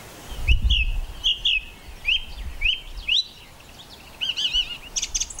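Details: Song thrush in full song on Castlemorton Common near Malvern, May 2021, repeating a bright rising whistle about five times before switching to a quick fluty phrase, with low wind rumble behind.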